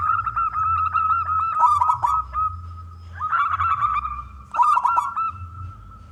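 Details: Local wild zebra dove, loud and big-voiced, singing to lure other doves into song. The coo is a sustained, rolling, mid-pitched note pulsing rapidly, broken twice by crackly bursts over a low hum.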